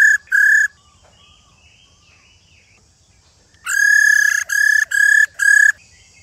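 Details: Two short whistles, a quiet spell of about three seconds, then four sustained, level, ringing notes from an old wild-caught female silver-eared laughingthrush calling to rouse males.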